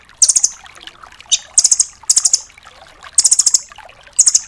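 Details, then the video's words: Red-billed velvet-fronted nuthatch, 'rambatan doraemon', as a master recording for songbirds; piercing high trills of four to six fast notes repeating at short intervals, with soft hiss between. "MASTERAN BURUNG RAMBATAN DORAEMON FULL TEMBAKAN"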